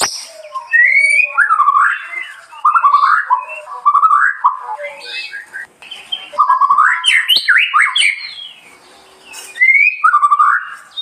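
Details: Lively murai song of repeated bursts of warbled, looping whistles separated by short pauses, with some higher, scratchier notes in the middle.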